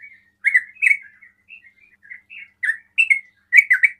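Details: Ropel song of a sooty-headed bulbul, intended to make other bulbuls call: soft warbled notes mixed with louder rolling chirps, ending in a quick cluster of phrases.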